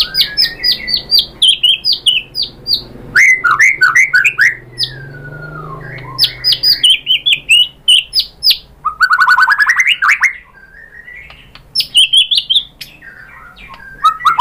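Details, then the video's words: Murai batu, white-rumped shama, in a long lure song for triggering other shamas: bursts of rapid chattering notes, a sliding whistle, loud rising trilled phrases and scattered sharp calls. "Suara MURAI BATU jadi EMOSI GACOR BONGKAR ISIAN | PANCINGAN MURAI ¦ SHAMA BIRD"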